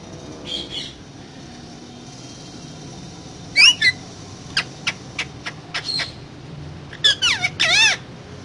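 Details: Parrot talking amid long quiet stretches: a short squawk, a pair of bending whistled notes, a string of sharp clicks, then a cluster of wavering voice-like syllables.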